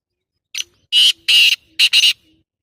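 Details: Black francolin, with a loud harsh rhythmic call: a clipped opening note, two drawn-out rasping notes, and a fast double note to finish, with a near-silent background.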